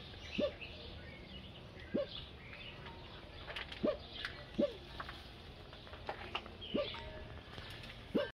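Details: A pair of Great Curassows at their roosting spots give short, sharp upward-sliding whistles, six in eight seconds at an uneven pace, over a faint hiss of insects and distant birds.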